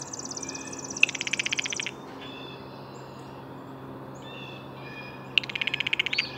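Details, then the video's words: Blue jay giving two bursts of rapid, harsh pulsed notes about four seconds apart, each under a second long, with short flat whistled tones in between and a steady low hum underneath. "Blue Jay Bird Calls"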